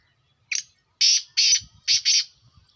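A black francolin gives a loud, harsh, grating phrase: one short clipped note, then four rasping, buzzy notes in quick succession, all within under two seconds.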